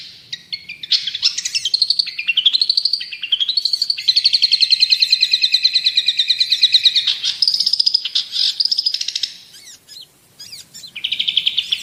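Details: Long-tailed shrike, called cendet or pentet, singing energetically as a tutor and provoking song: a varied, rapid run of high chattering and sweeping notes, with a long fast trill in the middle and a brief pause near the end.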